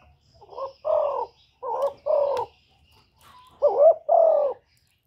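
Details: Spotted dove from Cà Mau, Vietnam, in a lure recording used to stir decoy birds for trapping. It gives low, hoarse cooing phrases of two or three notes, with short pauses between them, repeated three times in a quiet setting.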